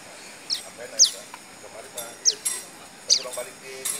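A prinia gives sharp, high, downslurred chipping notes, several a second in an uneven run, over a faint hiss of outdoor background.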